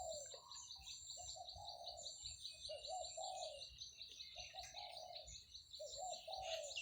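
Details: Zebra dove cooing on a morning in rice fields where buffalo are being tended, shaded by mango trees: soft low coos in short repeated bursts with gaps between, high insect-like buzzing and other bird chirps above.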